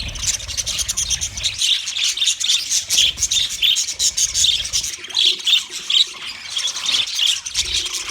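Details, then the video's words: Budgies, dated 29 February 2024: dense, continuous high chirping and warbling from several birds, with short squeaky notes rising and falling throughout, a faint low rumble in the first second and a half. "Best Sounds Of Budgie Bird"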